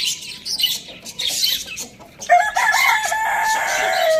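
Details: Rooster crowing at Lalukhet bird market, a pet kept among hens, chicks and budgies; a loud harmonic crow rises in from halfway and holds to the end, over constant high budgie chatter.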